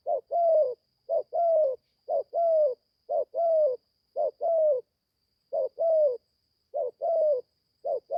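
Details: In Gia Lai, Vietnam, a young caged spotted dove that has only just begun calling is taken to the forest to train. Short-then-long coo pairs repeat about once a second, with a faint steady high tone behind them.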